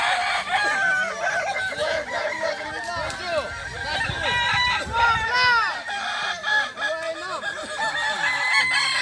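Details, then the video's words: Kokok Balenggek roosters at a crowing contest at a dairy farm in Solok Regency, many birds crowing at once in long, stepped, multi-note crows that overlap constantly, with voices of people talking beneath. "Lomba ayam kukuak balenggek di sirukam dairy farm kab solok"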